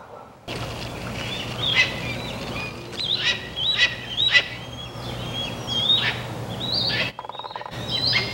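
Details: Hawk chicks being fed on 27 June 2022 give thin, high, descending whistled calls, repeated irregularly over steady low background rumble and noise.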